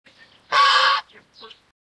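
A swan goose gives one loud, harsh, nasal honk of about half a second, then two short, quieter grunting notes.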